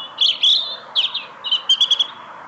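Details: A small songbird sings to greet the returning person after work: bright chirped phrases of quick notes around high pitch, delivered in three bursts with short pauses, ending in a rapid run of repeated notes.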